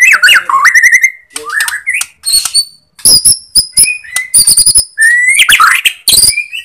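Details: Borneo white-rumped shama song played as a lure to excite hesitant or non-singing shamas: rich looping whistles and warbles, interspersed with dry clicking notes and high piercing whistled phrases, delivered in quick varied bursts.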